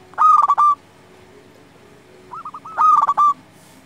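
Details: Local zebra dove singing, used as a lure to provoke rival doves into song and arousal: two phrases of loud, buzzy, wavering coos with short rising introductory notes, separated by about two seconds of quiet background hum.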